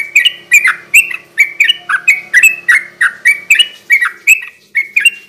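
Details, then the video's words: Sooty-headed bulbul giving energetic 'gacor garuda ropel' song, meant to lure wild birds at night and rouse quiet captive ones. Short warbled phrases with falling, bubbly notes follow each other almost twice a second without pause, over a faint steady hum. "kicau suara burung trucukan gacor garuda ropel ini cocok buat pancingan trucuk bahan di malam hari."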